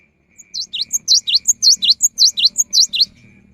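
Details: Cinereous tit in vigorous song, played as a rainy-season lure: a brisk run of around ten ringing whistles that swoop down and up, each trailed by a tiny high note, delivered at an even tempo.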